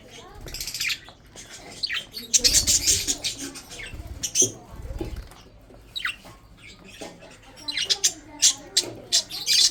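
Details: Breeding budgerigars eating food: scattered high, scratchy chirps and chattering bursts, some rising squeaks, interspersed with quieter stretches and low rustling sounds.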